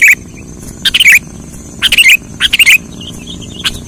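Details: Lure call of the sooty-headed bulbul for bird trapping: three or four quick groups of warbling chirps, mixed with sharp clicks, followed by a few faint trailing notes.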